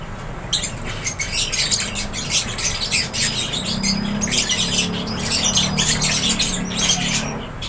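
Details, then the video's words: Several lovebirds in an aviary keep up a busy, high-pitched chatter of squeaky chirps and squawks, nearly unbroken, with a faint low droning tone in the background. "LOVEBIRDS CHIRPING SOUNDS"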